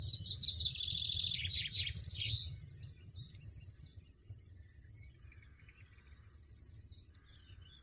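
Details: European goldfinch in the wild: a quick run of tinkling, twittering high notes over about two and a half seconds, ending in a bright buzzy note, then near silence with faint distant chirps and low background rumble.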